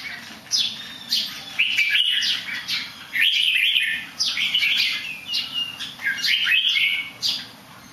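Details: A good singer that occasionally somersaults, delivering about six lively whistled phrases, each sweeping upward then dropping, with short gaps between them and a constant low hum behind.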